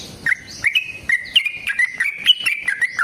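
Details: Sooty-headed bulbul singing its long fighting song to stir other bulbuls; a run of sustained clear whistles, each entered by a crisp upward snap, spaced about every third of a second.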